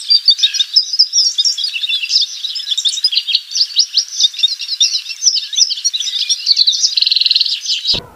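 A Lawrence's goldfinch sings a continuous, high, jumbled twittering of tinkling notes and buzzy trills, running without pause for about eight seconds.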